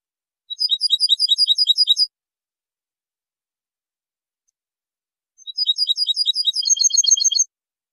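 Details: European goldfinch tutoring song, recorded in 2023 in high quality: two bursts of rapid, high, tinkling twittering, each about one and a half seconds long and separated by roughly three seconds of silence.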